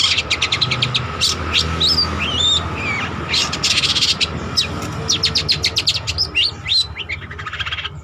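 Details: Trotol long-tailed shrike in lively song for training birds: quick runs of ticking notes mixed with thin slurred whistles rising and falling, over a low steady hum.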